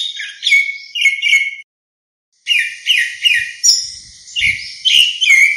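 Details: Grey-backed thrush summoning its flock: rich, slurred whistles and buzzy overtoned notes in two runs, the second longer and steadier, with faint low knocks in the background.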